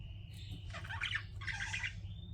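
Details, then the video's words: Chirping pet budgerigars: a thin whistled tone, then two dense bursts of scratchy chatter, over a strong low hum. "CUTE PET BUDGIES CHIRPING"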